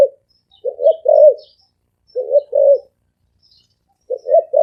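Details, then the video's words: Low cooing of a spotted dove, three phrases each of two or three soft notes ending in a longer wavering coo, separated by pauses of about a second; faint high chirps in the background. "Tiếng chim cu gáy thổ ồm vang gáy gù siêu tốc siêu nhanh"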